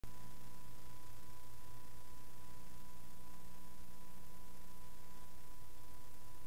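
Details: Only a steady electrical hum with faint hiss is heard, with no calls or song.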